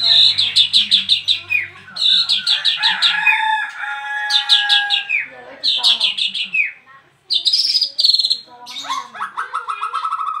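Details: Bird in a cage, newly arrived, bursts into nonstop song after the cover is opened: loud rapid stuttering phrases separated by short pauses, ending in a long, descending, fast-trilled series.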